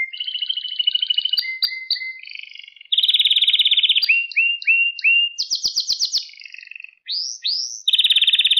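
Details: Canary song intended to teach young canaries to sing: varied tours of rolling trills, rising whistles repeated in sequence, rapid high notes and sweeping slurs, ending in a dense loud trill.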